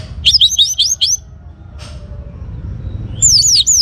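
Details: Orange-headed thrush, young bird, singing from North Bali, Indonesia, as a prompt for other birds: a fast run of sweeping, up-and-down whistled notes, a short pause, then more looping high whistles, with faint low rumble beneath.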